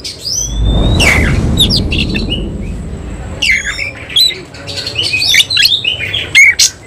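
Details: A semi cililin oriental magpie-robin sings nembak while spreading its tail (ngobra). A brief whistle opens, then a low thudding rumble covers the start. Scratchy chatter and bright upslurred whistles follow.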